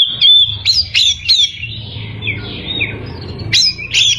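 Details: Oriental magpie-robin singing persistently to provoke rival birds: loud, ringing whistled phrases with sharp upward flicks, a softer run of falling notes in the middle, then more strong whistles, over a low background hum.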